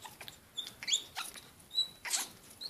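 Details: Pet Congo African grey parrot in heat, indoors: short high whistled squeaks and thin chirps mixed with sharp clicks, scattered unevenly, with quiet room tone between.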